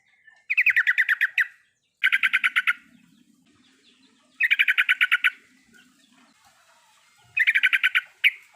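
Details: Yellow-vented bulbul (trucukan) singing full riwikan, a lure for a bird that stays silent. Four loud bursts of eight to ten rapid bubbly notes each come roughly every two seconds, with faint low murmuring in the gaps.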